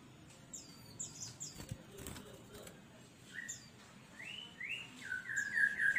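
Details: Caged kutilang emas (ruby-throated bulbul) in full song, recorded as a master track for training new birds reluctant to sing. High thin chirps and a wing flutter come first, then clear rising whistled notes repeat faster toward the end.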